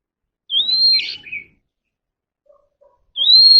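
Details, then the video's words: Caged Oriental magpie-robin song used for voice training: a rising, sustained whistle ending in a scratchy burst and a lower chatter, a pause of nearly two seconds, then the same long whistle begins again. "kacer alam | choè than luyện giọng || Choè than kích bổi ra giọng เสียงนกกางเขนบ้าน"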